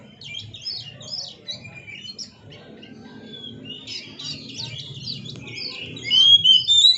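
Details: Oriental magpie-robin singing energetically while dancing: quiet scratchy high chirps and twitters at first, building to loud, sharp whistled phrases in the final second, with soft low rumbling beneath.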